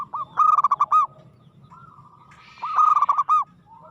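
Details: Frequently singing zebra dove with an aggressive style: two loud phrases of quick, stuttering cooing notes about two seconds apart. A short hiss is heard between them.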